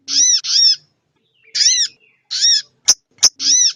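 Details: Female crested jay, calls to arouse males; a doubled rasping note, a pause, two more single harsh notes, then two sharp clicks and a final note.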